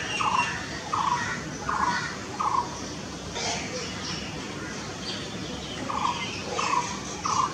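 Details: Blue-throated barbet calling: low, rolling notes repeated roughly every 0.7 seconds, four in a row, a pause with faint higher bird chirps, then three more notes; steady background hiss.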